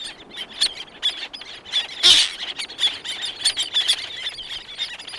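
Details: Black-naped terns, several calling close with others in the distance: dense bursts of short, sharp, high notes follow one another rapidly, with one louder harsh burst near the middle.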